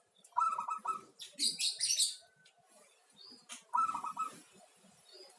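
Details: Local zebra dove song, two rolling, stuttered coo phrases about three seconds apart, with loud bright chirps from other birds between them and a soft noisy background.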